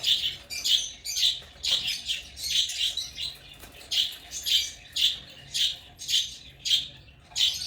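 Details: Chirping of African lovebirds: quick, shrill, squeaky notes repeated almost twice a second, uneven in spacing, high-pitched and harsh throughout.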